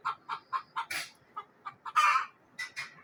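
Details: Frightened village hen in Neelum Valley, Kashmir, calling in alarm: quick repeated clucks, about four per second, broken by two louder, harsher screeches, then trailing clucks.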